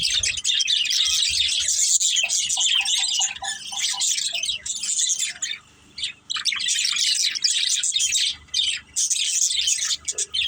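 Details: Budgies kept together as a family give long runs of busy, high-pitched warbling and chirping, which drop away into a short quiet spell midway before the chatter resumes.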